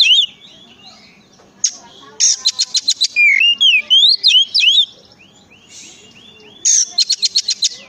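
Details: Oriental magpie-robin singing as a prompt for other magpie-robins: bright slurred whistles mixed with bursts of rapid, evenly ticking rattles, twice repeated, with quiet gaps between phrases.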